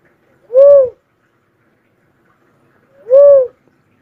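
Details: Cuckoo-dove giving two low, hollow, arched whoo notes about two and a half seconds apart, each briefly rising then falling, in a quiet setting.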